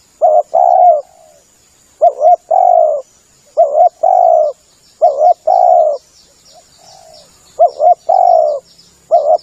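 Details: Lure call of a spotted dove, a series of low hollow coo phrases, each a short two-part note then a longer sliding coo, about every two seconds, over faint high twittering of small birds and light hiss.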